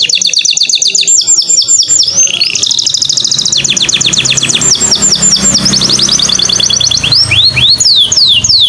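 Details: Continuous canary song played to coax other canaries into singing: long bright trills of quickly repeated downslurred notes shift from one tour to the next, with a faint low rumble underneath.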